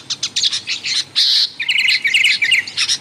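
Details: Sooty-headed bulbul chatter for luring wild bulbuls: a few separate sharp chirps, one longer harsh note, then a quick run of short repeated whistled notes.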